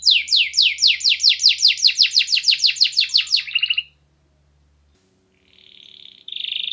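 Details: Canary singing strongly with a clear voice, meant as a lure to get stalled canaries singing again. A fast, rhythmic run of about twenty high, sweeping chirps lasts nearly four seconds, then silence, then a few buzzy, raspy high notes.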